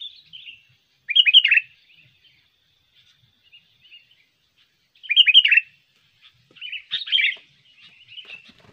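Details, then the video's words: Sooty-headed bulbul, a trained bird, heard in a lure recording meant to attract wild birds and to tutor other songbirds. Short, bubbly, chattering phrases of quick notes come in three bursts over about nine seconds, separated by quiet gaps. "pikat burung kutilang Bagus gacor ampuh"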